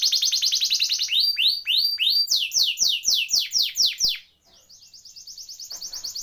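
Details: Singing canary, a tutor recording to coax canaries that stopped singing: a fast trill gives way to loud, slurred downward notes repeated about twice a second, a brief pause, then a soft high trill.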